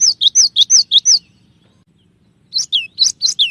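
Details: Singing gelatik batu, or cinereous tit, with a clear tembakan song. Six loud high-to-low two-note whistles run rapidly, then after a one-second pause a second phrase of five notes follows with longer falling tails.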